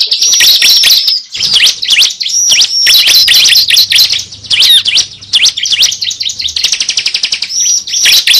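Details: Cible bird recording used as a lure for bird trapping: dense, high chirps and sharp up-and-down notes in fast bursts, with brief pauses and a faint low hum in the middle.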